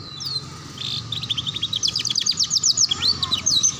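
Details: Canary song for tutoring young canaries in the ngeriwik sound: a long rapid series of short descending chips, about two per second rising into a quicker trill, over steady background hiss.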